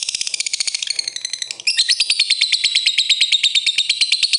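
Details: Lovebird giving a calling display meant to make rivals sing quickly: a dense, rapid ticking chatter, loud and high, running continuously and shifting into a stronger, ringing rattle halfway through.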